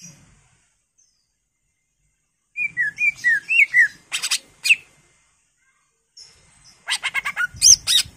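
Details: Greater green leafbird singing a full repertoire as a lure for other birds: a string of falling whistled notes, then harsh buzzy bursts, a pause, and another run of buzzy rasps mixed with high chirps.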